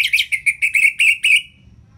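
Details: Rapid series of seven strong, harsh, chirping notes from an orange-headed thrush in ngeplong style, each slightly rising and evenly spaced, ending in a trailing tone. The recording serves as a tutor to spur lazy birds.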